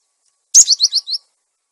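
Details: Cinereous tit lure call, also used to train caged birds that have stopped singing: a single rapid phrase, a strong high note followed by four quick, softer notes at an even pace.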